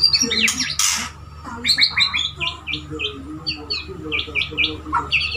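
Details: Male white-rumped shama (murai) courting a female, kept as a pet: high, quick chirps and short whistled notes in repeated clusters, one harsh burst near the start, over faint background hum and a low voice.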